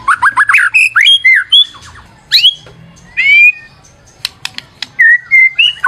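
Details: Varied white-rumped shama song used as a lure. It mixes short sharp chips, squawky bursts, and clear drawn-out whistles, with gaps between phrases.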